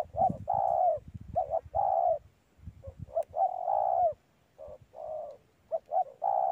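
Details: Spotted dove in a mango orchard, cooing steadily. Clipped notes alternate with longer, slightly falling coos in a continuous, uneven series, over a soft low rumble.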